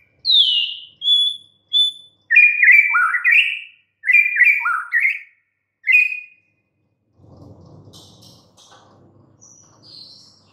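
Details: White-rumped shama song: a few single high whistles, then two bursts of quick, warbled, downward-slurring notes and one more phrase, followed by quiet rustling noise and faint distant chirps.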